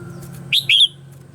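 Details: Red-whiskered bulbul morning song from Vietnam, used as a decoy sound for voice-training other bulbuls: two loud, bright, slurred notes in quick succession, then a steady faint background hum.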